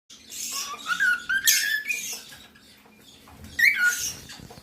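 A pet cockatiel gives shrill, rising whistled chirps mixed with harsh, raspy squawks indoors.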